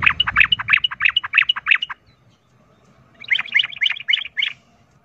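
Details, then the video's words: Sooty-headed bulbul fight-provoking song in two bursts of evenly repeated bright notes, about three per second, separated by a second of near silence. "pancingan trucukan ROPEL TARUNG ini bikin trucuk lain seketika ikut EMOSI tarung"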